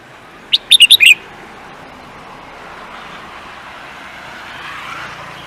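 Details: Contest songbird gives one fast run of five sharp, high chirps, after which steady traffic rumble rises and fills the rest of the recording.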